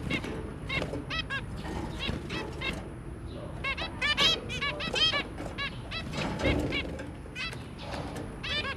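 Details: Zebra finches, a pair with three babies, 23 January 2022: continuous lively chorus of short nasal beeps and toots, several birds calling in quick succession, with faint fluttering and background hum.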